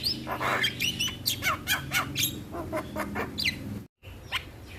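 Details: Morning starling singing as a tutor and lure recording for training birds, giving a string of coarse, squawky chattering notes repeated about twice a second, with a steady low hum underneath and a brief dropout near the end.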